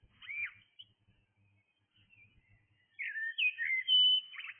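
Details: Early-morning blackbird gives a brief whistled note, a near-silent gap, then a loud fluting phrase of sliding whistles closing with a harsh twitter.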